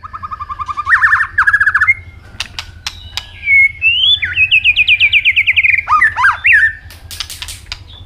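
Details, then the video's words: Asian robin singing a varied song: a buzzy trill, a pause, then a long whistled phrase of rapid rising and falling notes, ending in scratchy high bursts and clicks. "Robin singing"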